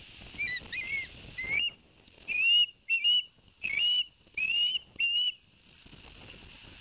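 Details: Ospreys at a nest at Barnegat Light, New Jersey, 11 September 2021. The adult male had just delivered two fish to the young and then bathed. A series of short, high, whistled chirps comes in about seven quick bursts, with a soft hiss behind.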